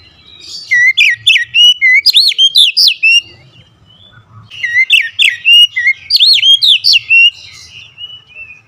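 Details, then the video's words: Kacer, the oriental magpie-robin, singing fiercely and insistently: two dense bursts of bright, swooping whistles and quick chirps, each lasting about two to three seconds, with quiet pauses between and a soft low hum beneath. "Kacer anda cepat ngamuk ngotot"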